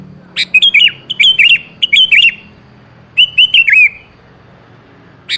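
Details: Sooty-headed bulbul song used as a lure to make a rarely singing bird answer: three quick bubbly whistled phrases of several notes each in the first two and a half seconds, then one more phrase after a pause, over faint low hum.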